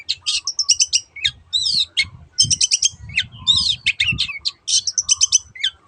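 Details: Long-tailed shrike singing in teot teot style, used as a lure to make other birds sing: fast runs of harsh chattering and scratchy notes mixed with slurred whistles, packed in short bursts, with soft low thumps underneath.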